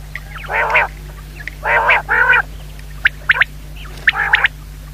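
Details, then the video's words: A common quail, described as a female, gives nasal, hoarse calls, some single and some paired, followed by a run of short, sharp, higher notes, over a low steady hum. "Звук самки перепела"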